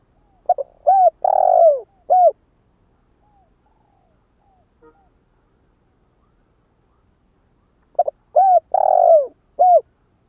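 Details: Spotted dove kept as a decoy to lure wild doves, repeating its full cooing phrase twice about seven seconds apart: short notes, arched coos and a long rolling descending middle note, with near-silence between.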